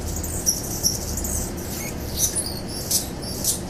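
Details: A mature male Anna's hummingbird sings in mid-August, with 2 extra high-pitched squeaky notes in his song: thin, scratchy squeaks, five or six short notes scattered over a few seconds, over a low steady background rumble. He holds territory, chasing other males away.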